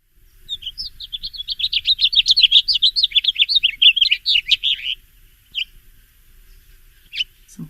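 A House Finch gives a long, bright warble of quick up-and-down notes lasting about four seconds, followed by a few separate short call notes.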